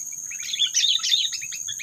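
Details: Trapping lure of sooty-headed bulbul, said to stir up predators: a dense burst of excited, harsh chirps and chatter crowded together, over a constant high-pitched electronic or insect hum.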